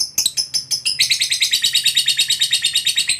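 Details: Lovebird of fighter type kept for competition, giving its long trill: a few separate sharp chirps, then a fast, steady, rattling trill of high notes repeated about six times a second to the end.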